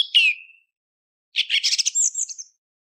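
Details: A song thrush, recorded before sunrise, gives a clear, falling whistle, then after a pause a quick burst of bright, varied chirping notes that climb higher at the end.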